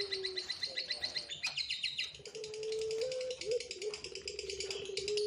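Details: Young Barbary doves, noisy after being fed until full, make a busy chorus of thin, high, rapid chirps and squeaks, with a steady low tone that wavers and slides behind them.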